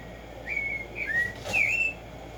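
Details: Tumba Yegua, the Black-striped sparrow, whistling three separate notes: a level whistle, a short falling slur, then a louder upward-curving whistle, with faint background hiss.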